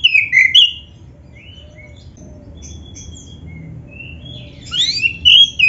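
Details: Oriental magpie-robin, black-breasted type, singing for training beginner birds: a loud slurred whistle at the start, thin scattered notes in between, and a final rush of upswept whistles.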